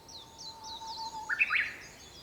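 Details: At sunrise on 4 May 2021, a Japanese bush warbler gives a long, even, low whistle lasting over a second, then a quick loud rising two-part flourish. Thin, high, repeated chirps from other birds run throughout.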